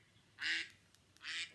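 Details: A duck, a bird of ponds and lakes, gives two harsh, nasal quacks about a second apart, each short and raspy, over a faint quiet background.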